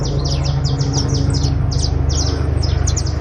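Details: Criollo basto canary trilling loudly: rapid, tightly packed high notes sliding down, repeated in an even pulsing run, against a steady low droning hum.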